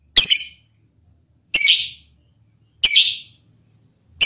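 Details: Lovebird mating call directed at a male partner, heard as sharp, raspy high-pitched squawks spaced about one and a third seconds apart, each fading quickly, over a quiet background.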